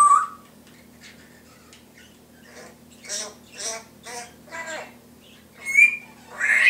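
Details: Indoor Timneh grey parrot mimicking household noises: a short whistle, then a run of five raspy, speech-like chattering bursts and two sharp high squawks over a constant low electrical hum.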